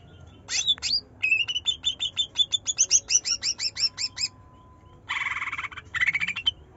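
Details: Greater green leafbird of the trotol form, singing to coax a lazy bird: slurred whistles open into a rapid series of crisp high notes, then two raspy buzzing bursts end the phrase.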